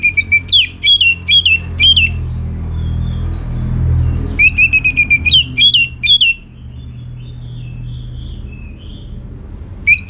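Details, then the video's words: Orange-headed thrush in full, lively song, played so that other birds will answer. Two long runs of rapid, repeated, swooping whistles, about two per second, divided by a quiet stretch with a low hum. "Putar Kicauan ANIS MERAH Gacor Ini dijamin Pasti Ikut Nyaut"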